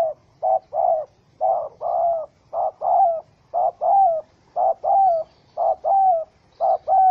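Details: Wild spotted dove, angry after being caught in a trap with a small rope, recorded 04/07/2017: low, hollow coos in pairs, a short note then a longer, slightly falling one, repeated about once a second in a steady rhythm.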